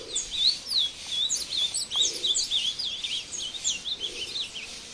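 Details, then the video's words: Caged male ultramarine grosbeak (azulão) in the bush near Passos, Minas Gerais, Brazil, singing while fighting a wild bird: rapid warbled phrases of sliding whistled notes, high and continuous, with faint background noise. "Azulão Cantando e Brigando com o solto no mato"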